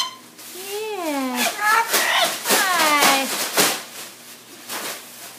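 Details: Pet parrot talking indoors, speaking word-like phrases with sliding, rising and falling pitch in a nasal, speech-like voice; a few short bursts and room noise follow.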